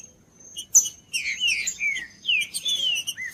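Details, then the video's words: Green-winged saltator singing: a series of loud, rich, slurred whistled notes, mostly falling, grouped into two bursts after a sharp click. A thin steady high tone runs throughout the background. "TRINCA-FERRO CANTANDO"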